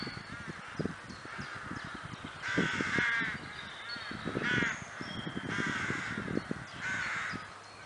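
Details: Many crows calling in woodland at Kloosterbos, Vaals: bursts of loud harsh cawing in waves roughly every two seconds over a steady chorus, with crackling low-pitched rustling.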